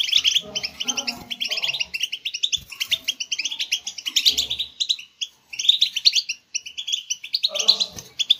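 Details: Captive-bird stimulation recording of European goldfinch singing, a dense, liquid twitter of fast high chips and trills repeated in short phrases, with softer lower notes and two brief silent breaks.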